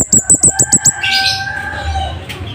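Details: Scarlet-headed flowerpecker, loud and sharp song for training other caged birds: six rapid, very high, thin notes opening the clip, then a fading hiss and a steady mid-pitched hum.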